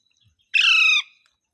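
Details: Pet green parrot giving a single harsh, buzzy squawk lasting about half a second, rich in layered overtones, with silence on either side.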